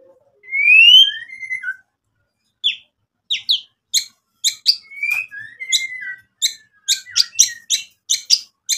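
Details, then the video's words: White-rumped shama song aimed at provoking rivals: drawn-out clear whistles sliding up and down, then a quickening series of short, sharp clicking notes. "MURAI BATU GACOR bikin EMOSI lawan jadi NYAUT BUNYI BONGKAR MATERI ISIAN cocok buat PANCINGAN murai"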